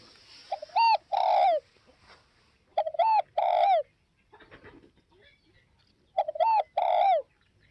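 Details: A northwest Vietnam spotted dove gives three coo phrases, each a pair of short hooked notes and a longer falling note, roughly every three seconds, with faint rustling between.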